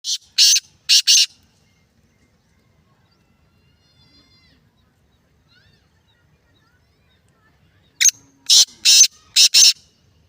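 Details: ['Black francolin calling: two bursts of harsh, scratchy, high-pitched notes, a long silence, then a louder series of five grating notes in quick succession.']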